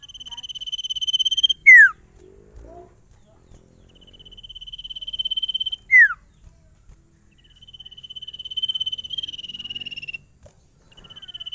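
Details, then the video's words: Sirtu song in a full-variation performance: long, even trains of rapid pulsed whistles, each broken by a loud down-sweeping slur, repeated three times over faint low background rumbles. "SIRTU GACOR ANTI STRES !! FULL VARIASI SUARA CIPOW GACOR DOR"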